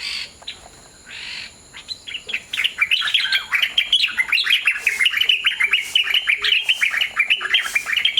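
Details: Wild white-browed bulbuls feeding in their natural habitat: a quiet start, then a rapid, dense run of bubbly chattering notes that rise and fall, delivered almost nonstop for the last five seconds.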